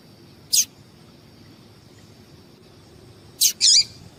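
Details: Calling female yellow-bellied seedeater meant to excite males; a single sharp high chip, three seconds of quiet, then a chip followed straight away by a twisting, warbled high note, with a steady faint tone behind.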